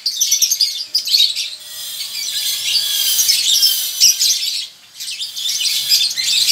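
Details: Male lovebird in a colony, in breeding condition, giving a long ngekek trill: dense high buzzy chattering bursts, rising in loudness and pausing briefly around one, two and five seconds.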